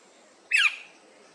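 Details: Australasian figbird at a workplace giving a single loud, harsh, rasping squawk that starts high and slides downward, lasting about a quarter second, against a faint steady hum.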